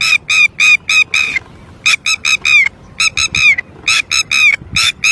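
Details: Red-wattled lapwing calling loudly and persistently after losing its chick: strident, harsh repeated notes in rapid series of four to six, separated by short pauses.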